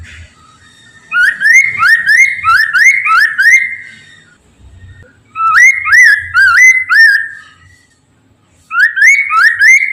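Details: Poksay Mandarin laughingthrush in full song, played as a lure so others start singing. Rapid runs of rising, slurred whistles, about three per second, come in three bursts split by short silences.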